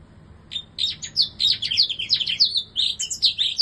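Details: Bar-winged prinia in a new cage; a rapid, continuous, high-pitched jumble of chirps and trills with quick, varied notes, running for about three seconds.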